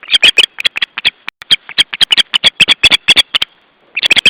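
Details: Osprey giving its alarm call, July 2012: rapid, sharp, high whistled notes repeated about four times a second in an unbroken string, a brief gap, then another quick burst.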